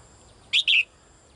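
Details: Female bird calling out to the male: a single loud, harsh two-part chirp, the second part longer, in an otherwise quiet setting.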